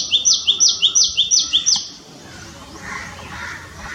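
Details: Tailorbird giving a quick series of loud, sharp rising notes, roughly three per second, which stops after two seconds, leaving quiet background with faint distant sounds.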